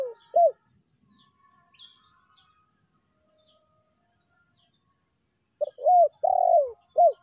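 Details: Lure call of a spotted dove, in the meratus or melambung style: one soft coo, a long silence with faint chirps, then a full phrase of a short note, an arched coo, a long falling coo and a last arched coo.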